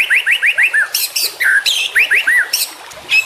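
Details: Juvenile white-rumped shama in song for tutoring captive birds: a string of four bright upslurred whistles, harsh noisy bursts, then more rising whistles and a thin high note.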